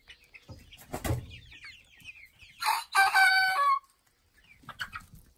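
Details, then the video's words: Young Ameraucana and Black Copper Marans roosters, about two months old, crow for the first time around 5 am. A strained, screechy, harmonic crow lasts about a second, after a few soft clucks and knocks, with a brief squawk after it. "Young Rooster Crows for First Time"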